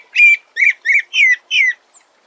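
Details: Sabiá thrush giving five short, slightly harsh whistled notes, each sliding downward, spaced about a third of a second apart, followed by one faint trailing note.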